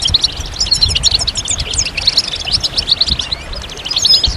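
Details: Continuous goldfinch song: a lively stream of high, rapid, tinkling and buzzy notes without pause, over a soft low hum.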